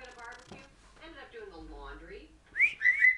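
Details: Pet female African grey parrot indoors; a low, voice-like murmur fills the first two and a half seconds, then three loud, clear whistles rise and bend near the end.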